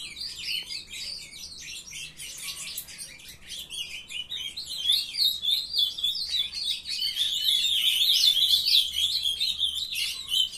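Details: Captive brood of young ultramarine grosbeaks singing together: dense, overlapping warbled twittering, high and jumbled, rising in loudness toward the end, with fast chirpy phrases crowding on one another and a faint low hum beneath.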